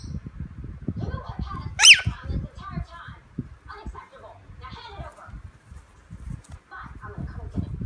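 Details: Lorikeet at play: one loud, harsh screech near the two-second mark, followed by softer scratchy chattering and mumbling notes, with low thumping and rustling handling noises throughout.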